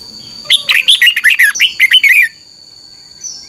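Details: A long, lively run of about a dozen bright whistled and slurred notes from a red-whiskered bulbul, played to train caged birds, ending abruptly, then near silence.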